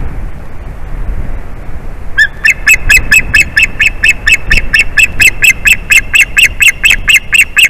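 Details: After a couple of quiet seconds, an adult male white-tailed eagle on the nest bursts into a steady chain of sharp, chirpy yelps, calling repeatedly as his mate arrives on an April afternoon.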